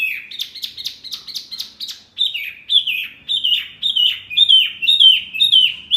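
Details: Birdsong for training caged Murai, Kacer, Cucak ijo and jalak to answer: a fast run of short, sharp downslurred notes, then louder, longer whistles, each dropping in pitch, about twice a second.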